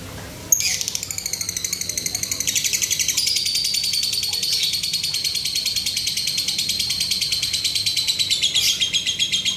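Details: Male lovebird in strong breeding condition giving its 'ngetik' ticking call, likened to lato lato clacker toys: dry, high clicks repeated rapidly, about four per second, sustained for over eight seconds in a small indoor space.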